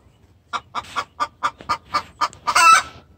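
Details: Hen's distress call to the rooster: an accelerating row of about nine even clucks ending in a loud, harsh squawk.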